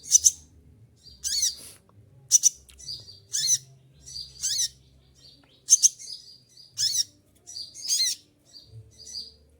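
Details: Olive-backed sunbird still singing strongly while moulting: eight or so piercing, high, sharp bursts in under ten seconds, with thin sliding whistles filling the pauses.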